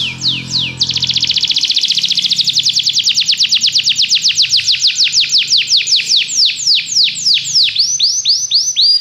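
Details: Belgian canary performing training song for other canaries: a few opening sweeps, then a long rapid trill of high notes that steadily slows into wide, falling whistles; faint low hum at the start.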